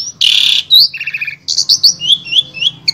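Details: Asian pied starling with a full repertoire, recorded in Wonosobo, Central Java, and used to tutor other starlings. A harsh high buzz opens, followed by quick whistled chirps and a string of rising and falling squeaky notes.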